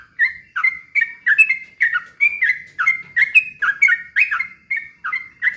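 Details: Sooty-headed bulbul delivering rapid song used to provoke other birds: clean, loud run of bubbly whistled notes with clicks, about three a second and steady throughout.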